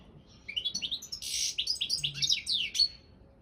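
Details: Competition song of a European goldfinch, subspecies balcanica, recorded for an online world championship: a fast, continuous run of sweet chirps and slurred twittering notes with one harsh buzzy burst near the start.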